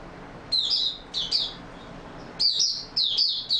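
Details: An Oriental white-eye, recorded 28 February 2022, sings high, thin twittering phrases of about half a second, in two bursts separated by a brief pause.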